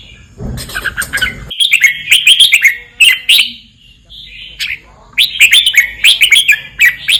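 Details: Southern Thai red-whiskered bulbul giving 'boen'-style song: clear, liquid whistled phrases delivered in quick clusters, separated by short pauses, with a brief noisy patch at the opening.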